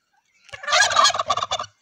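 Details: Domestic criollo turkeys in the Mixes region of Mexico, displaying in their strutting dance; one loud rattling gobble about a second long, a rapid burst of harsh pulses that fades in a few quick stutters.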